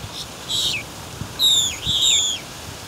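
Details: Boat-tailed grackle (Quiscalus major) giving two bursts of high, thin, squeaky notes that slur sharply downward at the end, over a quiet background.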